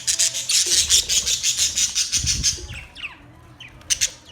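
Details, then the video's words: Budgerigar chatter: a fast run of evenly pulsed bright high chirps for about two and a half seconds, then a few scattered sliding whistles and clicks. "Budgies birds chirping sounds Budgies parrot sounds"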